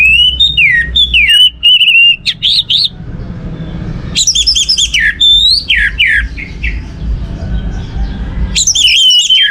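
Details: An orange-headed thrush sings to stir other birds into song, mixing pure held whistles with quick downslurred notes and buzzy chatter in several separate phrases, against low background noise.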